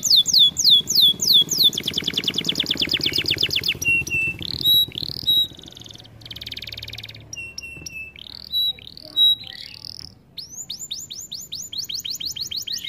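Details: Canary song from a training recording with many changing tours: quick sweeping notes, a rapid rattle, short steady whistles, pauses, buzzy bursts and a closing run of repeated down-slurred notes.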